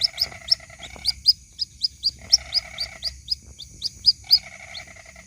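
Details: Waterhen chick, white-breasted, calling its mother in a lure recording: sharp, high, slightly rising peeps repeated several times a second, mixed with repeated bursts of a lower buzzy rattling sound.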